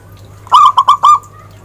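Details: A single short phrase from a zebra dove, locally called perkutut: four clipped, throaty coos in quick succession, ending in a faint drawn-out tail, over a constant low electrical hum.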